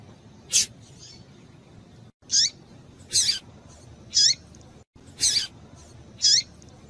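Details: Female double-collared seedeater calling to stimulate a male, giving short high chipping notes roughly once a second, several with a sharp downward-sliding tail, over low background hiss with two brief silent gaps.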